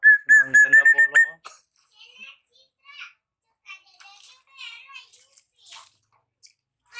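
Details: Young Javan black-naped oriole, raised from the nest and just past its spotted juvenile stage, learning to sing 'ploong': a quick run of loud, evenly repeated ringing whistle notes, then faint scattered chirps and soft murmuring.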